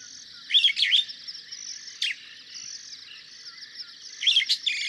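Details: A superb starling in Kenya sings in quick bursts of shrill chirps and squeaky chatter, with a steady high hiss of other birds or insects behind.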